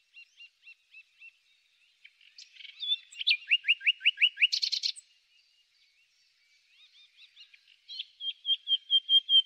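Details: Common nightingale singing in spring: soft repeated whistles, then a fast series of rising slurred notes, a brief buzzy burst, and a closing run of sharp repeated chips.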